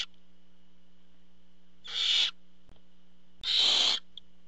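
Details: Barn owl nest, father arriving with food: two harsh, noisy hisses about 1.5 seconds apart, each roughly half a second long, with a soft click between them and a steady background hum.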